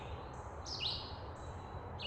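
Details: Red-eyed Vireo song: two short, slurred, robin-like phrases about a second apart, softer than a robin and at a similar mid-high pitch, part of a series of short phrases that can be confused with robin, over a low background rumble.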